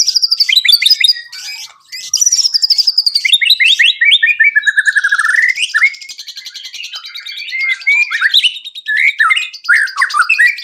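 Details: Singing white-rumped shama used to prompt other birds to sing, starting with a run of descending high notes, then a long rattling buzzy trill and looping whistles in fast, varied phrases.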